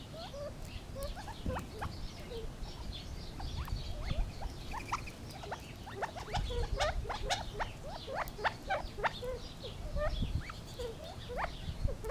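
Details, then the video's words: Gambel's quail, apparently several birds, producing a busy chatter of quick upswept chips and short whistles that overlap and cluster throughout, over a steady low background noise. "Funny Sounds of the Gambels Quail"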